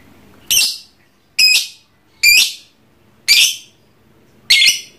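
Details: Pet lovebird (trondol) kept for ngekek singing. Five loud, raspy, high screeching bursts come about once a second against faint room background.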